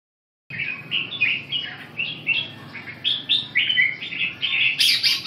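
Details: Red-whiskered bulbul singing a rapid run of short, bright warbled phrases, rising and falling notes strung closely together, ending in a louder, harsher high burst.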